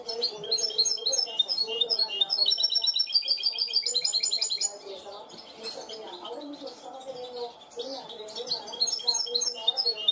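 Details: Goldfinch hybrid trained to clean song, with loud varied twittering and rattling trills for about four seconds, then quieter intermittent chirps and a steady low murmur.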